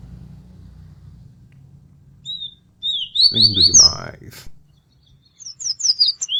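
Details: Birds singing: short high chirps and quick downslurred whistled notes in brief bursts, a pause, then another run of sharp twittering notes, with a low hum early on and a short human voice in the middle.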